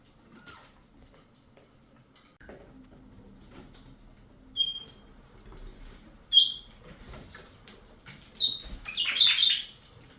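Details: Cockatiel (Nymphicus hollandicus), call.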